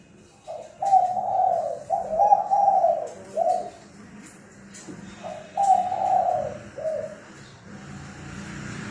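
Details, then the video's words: Spotted dove decoy call for lure trapping, fast and strong: two rough cooing phrases, each a short lead note, a long rolling coo and a clipped ending note, separated by a pause, with faint low hum. "Tiếng Chim Cu gáy mồi thúc bổi tốc độ cực mạnh"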